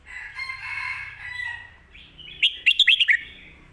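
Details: Red-whiskered bulbul in the 'pad kuay tiew' or 'mae bot' song style: soft, wavering warbles, then a quick, loud phrase of about six clipped, bright whistled notes near the end.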